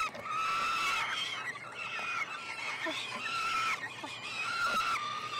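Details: Peregrine falcon chicks, three hatched late May, being fed at a University of Montreal nestbox in Canada on 21 June; wavering, rising-and-falling squealing cries, overlapping and rather hoarse, with faint clicks beneath.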